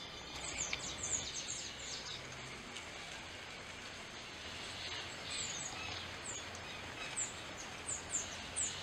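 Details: Burnished-buff tanager (Tangara cayana) song, described as beautiful and soft: very high, thin, slurred notes in short scattered bursts over a steady hiss of background noise.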